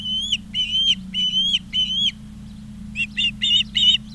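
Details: Osprey at the Charlo, Montana nest, 20 August 2023: four longer drawn-out whistles that rise slightly at the end, then a quick run of shorter chirps, with a low background hum.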